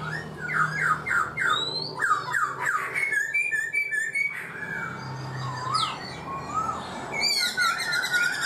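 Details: Caged black-throated laughingthrush, kept four months, singing a varied song: a run of quick repeated whistled notes, then sliding, looping whistles and higher bright phrases, over a steady low hum.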